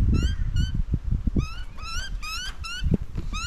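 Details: Young crow begging as a parent brings food in an Australian backyard. Loud, rising, nasal calls with rich overtones come in quick bursts, mixed with heavy low thumping and rustling noise.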